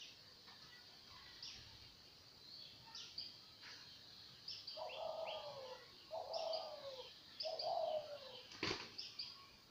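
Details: Dove calling: three low, hoarse cooing phrases, each about a second long, repeat at roughly one-and-a-half-second intervals. Thin high chirps from other small birds and a sharp click are mixed in over steady outdoor background noise.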